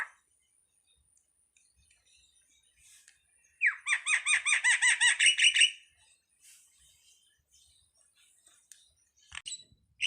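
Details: Starling giving a single burst of about a dozen rapid, ringing, rolling notes lasting two seconds, set in near silence with a few faint clicks afterwards.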